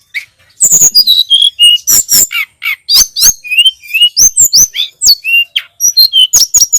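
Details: Sunda robin, for cage-bird song training: after a brief quiet start, an unbroken flow of varied whistled notes, falling slurs and clicking chips at high pitch.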